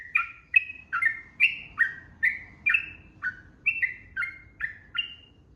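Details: Sooty-headed bulbul in long 'ropel' gacor song, used as training audio for young caged birds: a fast run of short whistled, slurred notes between mid and high pitch, about two or three per second, each falling slightly.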